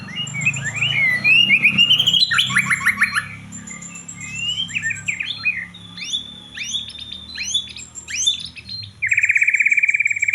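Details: Excited white-rumped shama singing a rapid medley of sweeping whistles, trills and sharp chips, ending in a loud buzzy rattle-like phrase, with a low background hum throughout.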